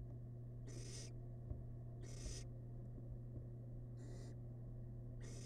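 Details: Four broad, snoring hisses spaced one to two seconds apart come from a tiny wild barn owl chick feasting on rabbit remains inside a research nest box, with soft scuffing and a low hum.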